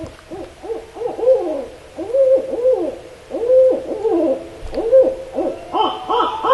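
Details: Barred Owl, a species of Northern California forests: a wild, monkey-like run of arching, rising-and-falling hoots, several overlapping, with a trill and a descending decrescendo at the end, dropping in timbre.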